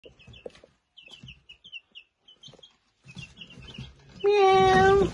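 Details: Baby chickens, startled by a cat's voice, give a run of high, thin downslurred cheeps in quick irregular bursts, then a loud, drawn-out cat meow drowns them near the end.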